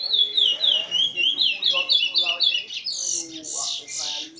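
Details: Curió in Maiobão, Paço do Lumiar, Maranhão, singing continuous song: rapid run of clear slurred whistles repeated about four per second, shifting to higher, fuller notes toward the end.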